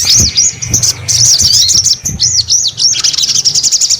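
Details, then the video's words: Song of a sogon: rapid high, thin arching notes that turn into a fast buzzy trill near the end, with a low rumbling background. "SUARA SOGON GACOR"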